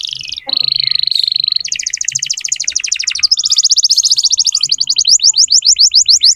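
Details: Singing canary used to tutor young canaries: a brief whistle, a steady buzzy trill, a fast double-toned pulsed roll, then a high rapid roll ending in quick repeated falling whistles over faint low hum.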